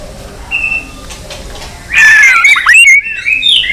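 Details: White-rumped shama in fighting song. One thin whistle, then after a pause a loud, fast burst of sweeping whistled notes fills the final two seconds.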